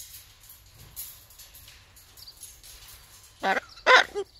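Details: Hyacinth macaw kept at a parrot park in Prague, Czech Republic, talking during a shower; after quiet background hiss, two loud, rough, speech-like syllables burst out close together in the final second.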